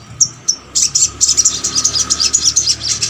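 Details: Little spiderhunter song for prompting birds of the same kind to sing: two short high whistles, then a continuous run of fast, piercing chattering notes over faint background hum.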